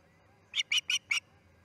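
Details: Osprey at the Charlo nest as a chick fledges, August 10, 2018, 6:03am MDT: four short, sharp whistled chirps in quick succession over a faint low background hum.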